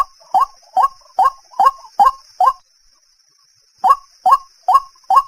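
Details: White-breasted waterhen calling: a run of short, harsh, croaking notes repeated roughly twice a second, a pause of over a second, then the same rhythm resuming. No other sounds stand out.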